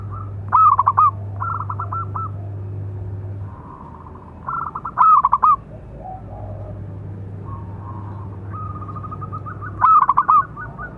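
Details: Training song of a local zebra dove with a big voice: three loud stuttering coo phrases ending in rolling trills, separated by quieter runs of clipped coos, over a faint low hum.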